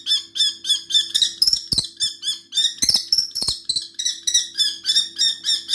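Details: Kestrel, a small hawk, calling to scare off a large eagle. It gives a fast, shrill, repeated series of sharp 'kee' notes, about three per second, with a few clicks and a low steady hum in the background.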